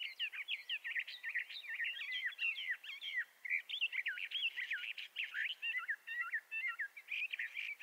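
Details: Bendire's thrasher singing, a species of the southwestern United States and northwestern Mexico: a long, continuous, rapid warble of varied slurred and chattering notes, with hardly a pause through the whole stretch, against a quiet background.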